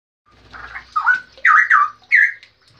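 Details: Straw-headed bulbul giving a short burst of rich, gurgling, warbled notes in a mid-pitched register, rising and falling in four or five quick phrases.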